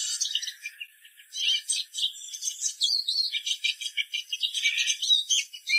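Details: Continuous busy Eurasian siskin twittering, a jumble of high chirps and short trills running without a break.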